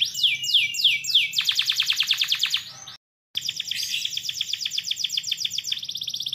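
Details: Canary in lengthy gacor song meant to prompt other canaries to sing: three swooping whistles, a fast rattling trill, a short dropout, then rolling high trills continuing without pause.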